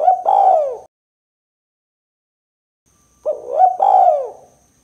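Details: Spotted dove in the 'kuk 2' style used to lure birds. The tail of one hollow coo ends, then after two seconds of quiet a fresh rising-and-falling coo phrase follows.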